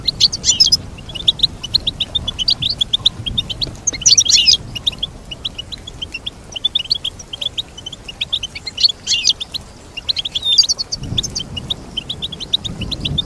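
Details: Goldfinch song made of a long, steady stream of sharp, high chirped notes, punctuated by denser twittering flourishes near the start, middle and end.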